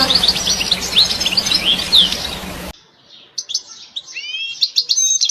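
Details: European goldfinch twittering: quick high chirps and short slurred notes, loud and mixed with a broad rushing noise at first, then clearer, faster liquid twitters after a brief pause.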